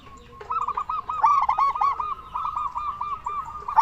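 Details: Local zebra dove with a big voice, its call used as a lure to make other zebra doves answer: rapid rolling coos near one pitch, a string of short looping notes with rich overtones, repeated across the clip.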